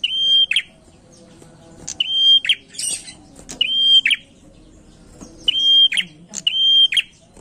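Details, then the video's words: Prinia singing energetically in a lure recording: loud, flat, high whistled notes, each ending in a buzzy flick. The notes come in short bursts, repeating roughly every one and a half seconds over a faint low background murmur. "pancingan prenjak gacor enak"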